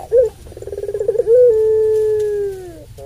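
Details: Single long call of a puter pelung dove used to excite other doves: one short bright note, a string of fast vibrating pulses, then a long steady low coo slowly descending and fading.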